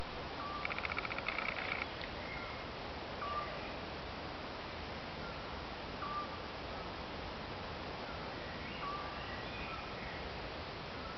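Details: Eurasian scops owl in Croatia giving short, pure, low whistled notes, one roughly every three seconds. A brief buzzy, insect-like rattle sounds early on, over steady background hiss.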